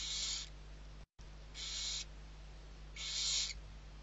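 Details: Repeated breathy screeching hisses, three in four seconds, from six barn owl owlets being fed in the Ebro Delta, Spain, during November, over a constant low hum.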